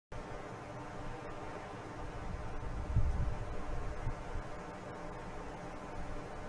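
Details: Steady low rumble and hiss from an outdoor nest camera at a bald eagle nest, with a brief louder thump near the middle.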